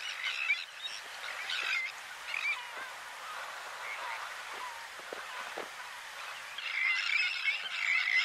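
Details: White-winged terns in the Camargue, France, May 2018: bursts of harsh, rasping calls open and close the recording, with a quieter stretch of scattered notes between them and a steady background hiss.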